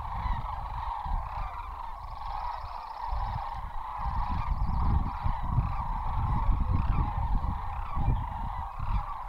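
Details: A spooked flock of sandhill cranes taking off and circling at Kispiox gives overlapping rolling, trumpeting calls, about one every second, over heavy low rumbling from wind and wingbeats.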